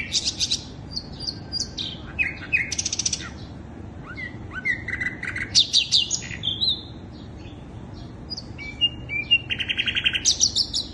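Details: Varied song of the sikatan londo flycatcher played to attract birds, with buzzy bursts, short sliding whistles and chattering phrases coming in clusters separated by brief pauses.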